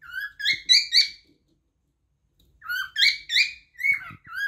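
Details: A cockatiel sings two phrases of short whistled notes, upward-sweeping and harmonic-rich, the second phrase trailing into lower slurred whistles, with a quiet gap between.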